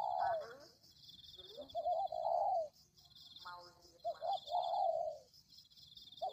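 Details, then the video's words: Lure call of the spotted dove: two paired coo phrases, each a short note then a longer swelling one that slides down, separated by quieter gaps, with a continuous shrill drone above. "Pikat Tekukur"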